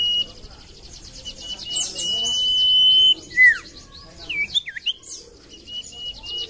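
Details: Common iora singing as a lure: a drawn-out steady whistle ending in a steep downward slur, then a burst of quick looping whistled notes over a faint high trilling background.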